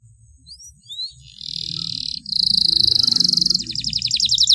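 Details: Canary song for training other birds, with ornate long phrases: a few faint whistled upslurs, then a bright sustained high trill that turns into a fast pulsing trill of rapid notes, with a low murmur underneath.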